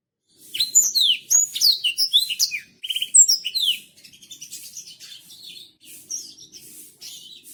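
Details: Black-throated canary from Botswana, kept as a tutor bird, singing a slow song used to train other birds: rapid high twittering phrases with sweeping whistles, chirps and brief trills, loud for nearly four seconds, then softer, scattered notes.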